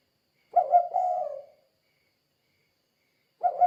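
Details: Spotted dove in vigorous 'kuk 2' calling, played as a lure for other doves: one soft, hollow, drawn-out coo phrase, a long silence, then the start of another. No background sounds.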